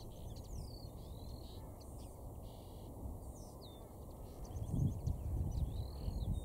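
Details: Common linnet singing, possibly from a fir, at Cavenham Heath, Suffolk, UK, 4 April 2016 around 6:30 pm: quick, varied twittering of chirps, slurred whistles and dry buzzy notes over low wind rumble swelling near the end.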